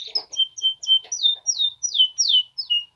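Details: Polish male canaries singing indoors, a quick series of clear whistled notes, many sliding downward, repeated about three times a second with faint lower chatter underneath.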